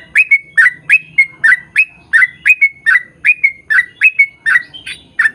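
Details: Yellow-vented bulbul singing its long rolling 'ropel' phrases to draw others of its kind into song: clear gurgled notes ending in short level whistles, evenly repeated about three times a second.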